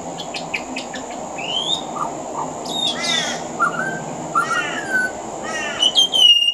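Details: Pied butcherbird singing near a house veranda in Australia, mimicking other Australian birds: rapid ticking notes, rising whistles, rasping harsh calls and low mellow notes in a varied sequence, ending on a high whistled phrase, with constant high hum.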